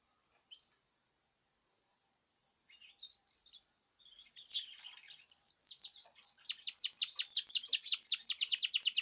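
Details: Caged birds in group song; faint isolated chirps at first, then from the middle a loud high whistle leading into a fast, accelerating series of bright repeated twittering notes.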